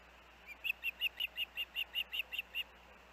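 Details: Osprey at the Hellgate nest with the young, 23 August 2024: a soft first note then eleven evenly spaced, high, piercing chirps about three per second, with a low hum underneath.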